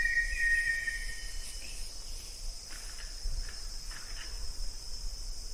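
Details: Banded yellow robin (Gennaeodryas placens), also called olive yellow robin: one clear, level whistled note held for under a second near the start, then faint fragments, over a constant high insect chorus and low rumble.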